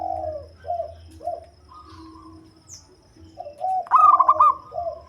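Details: Local zebra dove with a deep voice, kept as a lure bird for trapping; soft low coos open the recording, then a loud, stuttering, bubbly phrase bursts out near the end, followed by a lower trailing coo.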